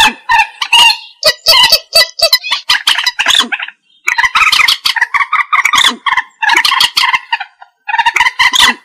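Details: Common moorhen calls for bird trapping: nearly continuous chattering of rough, nasal clucks and louder squawks, in rapid runs with a single pause midway.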